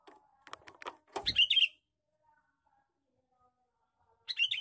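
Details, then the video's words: A male sooty-headed bulbul gives a lure call. A loud, harsh chatter burst follows a run of clicking and knocking sounds, and a second burst begins at the end. "suara pikat burung kutilang jantan gecor cor cor"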